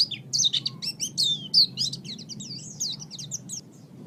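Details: Master recording of a pleci, or oriental white-eye, for teaching caged songbirds; lively high twittering with swooping whistled notes and rapid trills that gradually soften toward the end.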